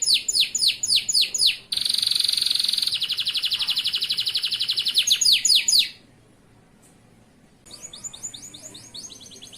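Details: Male local Atlantic canary singing for training young canaries: rapid repeated downslurred high notes, then a long buzzy trilled roll, a brief silence, and more fast sweeping notes.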